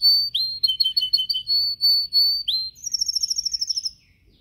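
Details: Yellow canary singing in a cage during training: clear whistled notes and quick chirps in short bursts, then a rapid rolling trill of high repeated notes that fades out.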